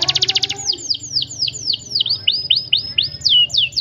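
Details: Canary rolling song in a tight 'cuit cuit' style: a brief rapid trill followed by a series of clear downward-slurred high whistles repeated about four times a second, with faint low hum behind.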